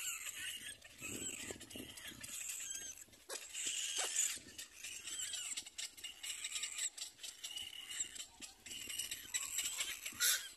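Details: Little black cormorant chicks at the nest give a constant, overlapping chorus of high, wheezy squeals and hissy chatter, surging louder in bursts as they compete for their mother's food.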